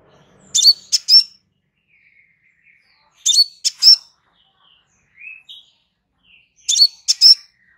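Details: Crimson sunbird, a relaxed song used as a master recording for training birds: short clusters of two or three high, sharp chips and a thin whistled note, repeated about every three seconds with soft faint notes between.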